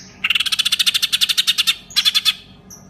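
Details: Green leafbird, a prized kept bird, imitates the ngekek trill of a lovebird: a long run of rapid, evenly spaced buzzy chatter notes, a brief pause, then a shorter burst of the same trill.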